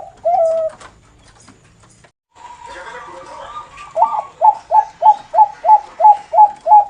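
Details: Bangkok zebra dove, noklak song style. A single trilling coo is followed by a murmur of background noise, then a quick, regular series of about nine rolling coo notes.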